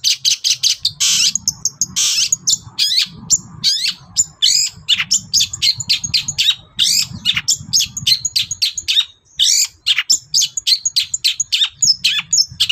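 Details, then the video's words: Long-tailed shrike singing in the morning to provoke other birds; a dense, fast, varied stream of harsh chatters, squeaks and high slurred notes, with a low rumble underneath. "SENSASI CENDET GACOR PAGI HARI BIKIN BURUNG APAPUN EMOSI NYAUT BUNYI"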